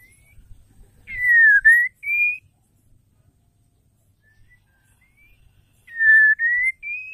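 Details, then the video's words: Female white-rumped shama calling to stir males into song: a phrase of three loud, clear whistled notes, a dipping one then two rising, repeated after about four seconds of near silence. "PANCINGAN AMPUH SEKALI PUTAR MURAI BATU DISITU AUTO EMOSI"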